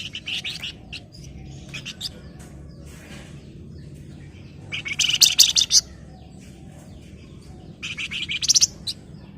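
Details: Breeding-condition Flamboyan challenging a rival: scattered scratchy notes, then two loud bursts of fast buzzy chattering several seconds apart, against constant low background noise.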